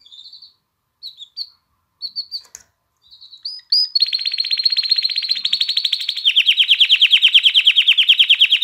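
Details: Canary song meant to stir females to mate and prompt young birds to sing: a few short, sparse whistled notes, then a long, rapid, even trill that shifts to a slightly lower, pulsing roll for the final seconds.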